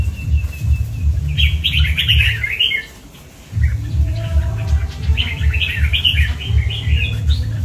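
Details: A 'cọp'-type red-whiskered bulbul in Vietnam sings rapid, chattering, rising-and-falling warbled phrases in two main bursts, with a brief pause in the middle. A low, pulsing drone runs beneath, dropping out for a moment.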